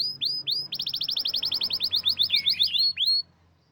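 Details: Champion canary delivering a fast run of about twenty rising high notes, closing with a slurred twisting phrase and a final note before quiet.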